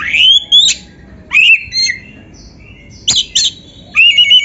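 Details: Oriental magpie-robin (kacer) giving masteran song: bright rising whistles and sharp chips in short bursts with silent gaps between them.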